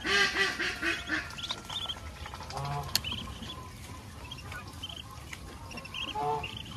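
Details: Ducklings out feeding with their mother on a countryside farm give short, high peeps in scattered bursts, with a few nasal quacks early on and soft rustling underneath.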